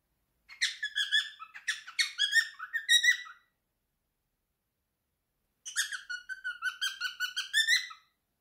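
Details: Pet male cockatiel, three years old, at home singing his favourite song in two bursts: choppy warbled whistles with quick pitch jumps, a pause of about two seconds, then a longer wavering whistled phrase.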